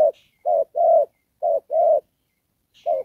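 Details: Spotted dove serving as a trapping decoy in the 'đồng pha' style, with 'rước' and 'kèm': two short-then-long coo pairs, low and husky, followed by silence and one more clipped note.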